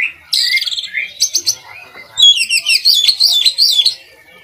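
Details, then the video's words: Oriental magpie-robin, a kacer in full song used for tutoring other kacer birds, delivering buzzy chattering notes followed by a fast run of bright whistled, rising and falling phrases. "kacer gacor buat masteran kacer"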